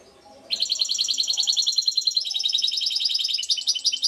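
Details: A European goldfinch in Šuto Orizari begins a long, rapid, high-pitched chattering trill of even repeated notes that grows slightly busier toward the end.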